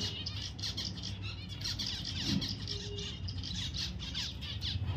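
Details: Busy run of high, short chirps and quick downslurred notes from pet zebra finch, nearly continuous, with a steady low hum beneath.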